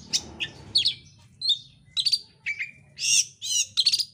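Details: Oriental magpie-robin singing a fast, dense, insistent lure song meant to provoke birds to sing: short clipped whistles and buzzy chirps in quick bursts, one after another, over a faint low hum.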